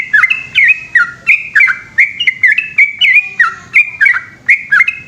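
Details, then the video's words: Nighttime ropel song from a yellow-vented bulbul, the trucukan: dense, fast-paced bubbly notes, loud and clear, repeated almost without break. "burung trucukan gacor ropel panjang dimalam hari"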